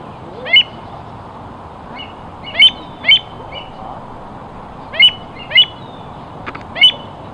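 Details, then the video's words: American avocet, a North American shorebird, uttering sharp high-pitched yelping calls in irregular pairs and singles over several seconds, with a few faint clicks and gentle background hiss. "美洲反嘴鷸(褐胸反嘴鷸)/American Avocet"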